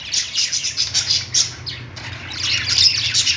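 Lovebird chatter: rapid, shrill, high chirps and squeaks tumbling over one another in an almost unbroken stream, several notes each second.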